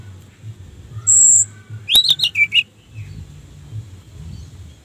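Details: Orange-headed thrush singing as bait to make other thrushes respond: a high drawn whistle, then a short rapid phrase of sliding, descending whistled notes over quiet background.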